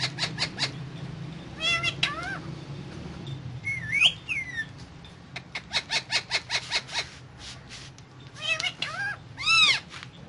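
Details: Indian ringneck parakeet (Psittacula krameri), talking while eating guava, gives harsh chattering bursts, a slurred whistle, and arched, speech-like squawks, with a low background hum throughout.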